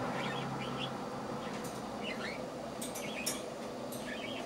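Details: A cockatiel named Roxy, in fine health and being weaned down to half a portion of soft food a day, gives soft, warbling chirps in short bursts about once a second over a steady background hiss; 13 September 2009.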